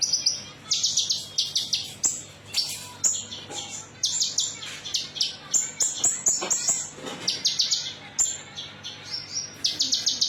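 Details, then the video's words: Konin, metallic type, singing as a lure recording to draw other birds into song: high, thin whistled notes and fast buzzy trills in short bursts, some notes sliding down, repeated steadily with brief gaps. "PANCINGAN KONIN METALIK"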